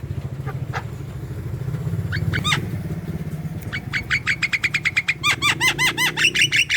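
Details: Javan myna calling actively, used as a lure for young or quiet birds: a few harsh notes over engine rumble, then a fast, accelerating run of ringing, bouncing notes.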